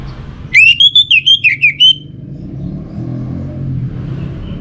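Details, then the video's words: An orange-headed thrush gives its pancingan lure song, a burst of about eight clear, looping whistles in quick rhythm, followed by low engine-like background noise. "Kicauan Burung ANIS MERAH Pancingan"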